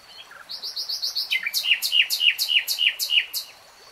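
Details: Common nightingale singing a rapid run of soft high notes that shifts into a louder series of emphatic, downslurred buzzy notes repeated about three times per second.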